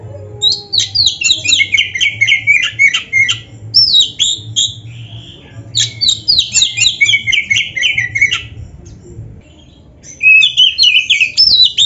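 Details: Kept Oriental magpie-robin, the black-breasted kacer, in nonstop 'gacor' song: dense bursts of rapid chattering, sliding whistles separated by short pauses, then a fresh burst of high swooping phrases.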